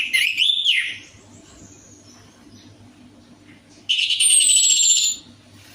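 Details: Orange-headed thrush (anis merah) lure song meant to get a silent bird singing: a short rich warbled phrase opens, then a pause with low hum, then a dense, high, buzzy whistled burst of about a second.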